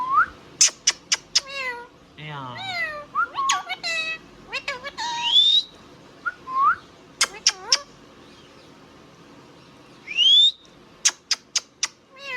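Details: Indian ringneck parrot kept as a pet, talking and whistling: clipped speech-like phrases, sharp clicks, and rising whistled squeals, with bursts of rapid chatter separated by short pauses.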